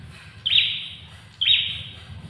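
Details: Two loud, high, harsh buzzy notes from an ashy tailorbird (prenjak kepala merah), each starting abruptly and fading, spaced about a second apart against faint low background noise.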